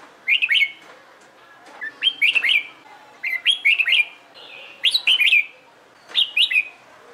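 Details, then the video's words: Red-whiskered bulbul practising competition song, lively repeated whistled phrases of two to four bouncy notes, given steadily about once a second with short pauses. "LUYỆN CHÀO MÀO HÓT ĐẤU/ CHÀO MÀO MÚA HÓT CHÉ VUI NHỘN"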